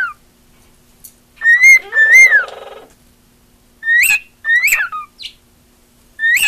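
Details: Pet female cockatiel singing for attention: drawn-out whistles with a falling bend and a raspy undertone, then sharper upslurred whistles in quick succession, separated by short silences.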